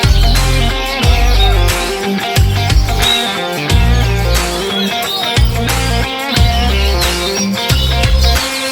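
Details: Loud electronic dance music with pounding bass beats and synth layers, and no animal calls heard.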